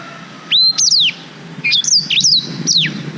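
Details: Song of a black-throated canary, recorded with a GoPro Hero 5 as tutoring material for canaries: a rising whistle leads into bright, falling whistled notes, then a second phrase of looping, wavering high notes.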